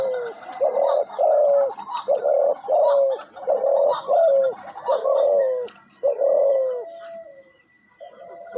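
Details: Decoy dove kept for hunting gives its jhumur series: about nine low, rich coos in quick succession, each sliding down at the end, then a longer drawn-out note and a pause before one more coo.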